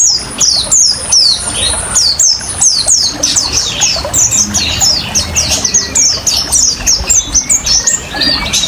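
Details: Oriental white-eye in 'ngriwik' style song, combined with trickling water as a lure and therapy recording: a fast run of sharp, high descending chips, roughly three each second, unbroken throughout, with faint low rushing noise underneath.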